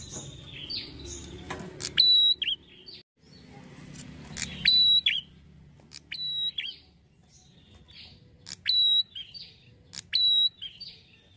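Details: Lure sound of a red-headed prinia, meant to rouse other prinias to reply. A high flat whistle is followed by a down-slurred note and buzzy chatter, repeated about six times at uneven intervals. The first seconds are noisier.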